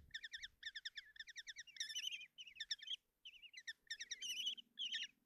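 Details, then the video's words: Kestrel young begging as their mother feeds them breakfast at a nest box in Tiszalök, Hungary, June 30, 2024: short bursts of rapid high chittering, separated by brief pauses, with some louder squealing notes, otherwise quiet. "Common Kestrels (Tiszalök, Hungary) | Mom brings breakfast and feed chicks"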